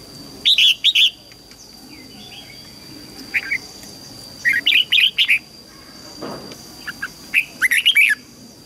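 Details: Red-whiskered bulbul practice song for teaching young birds: several clusters of quick, chirpy warbled notes scattered through the clip, some louder and some softer, with faint hum behind.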